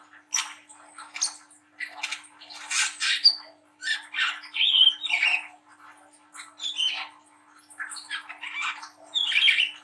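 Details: Spotted young brown-throated sunbird in a rough, chattering song meant to stimulate young birds to sing; scratchy broadband bursts mixed with short high whistled chips, irregularly spaced, over a faint constant hum.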